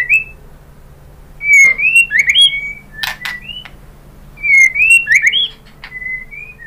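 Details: White-rumped shama song meant to trigger other birds to reply: a clear, whistled opening rising and falling, then sharp clicks and quick notes, with the phrase repeated after a pause.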